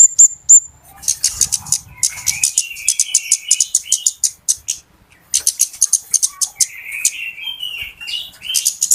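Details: Flowerpecker lure call for bird trapping: a few clear high whistles, then dense bursts of sharp, rapid ticking notes, with lower buzzy trills between the bursts.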